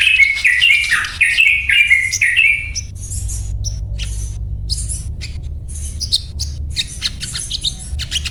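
Crimson Sunbird giving a quick run of chirpy notes, then sharp, high chips scattered about twice a second over a low hum.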